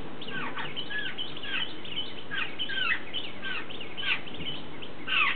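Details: A young jungle babbler at a bird table, fed communally by several adults, begs with harsh, squeaky calls that bend up and down, several a second, over a steady low rumble.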